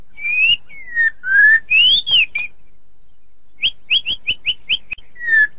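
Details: White-rumped shama singing ngeplong: loud, pure whistles rising and falling in long slurs, a short silence, then six crisp upward-flicking notes repeated quickly, ending on a soft falling whistle.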